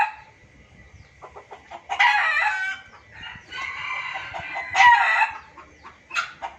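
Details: Junglefowl used as a hunting lure: a long, raspy cackling run of overlapping clucks, rising to a loud peak with a sharp squeal, then a short closing burst.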